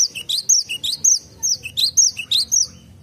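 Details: Garden recording of a Cinereous tit repeating a bright, sharp three-note whistled phrase, with a rising note, a high falling note and a lower note, many times in quick succession.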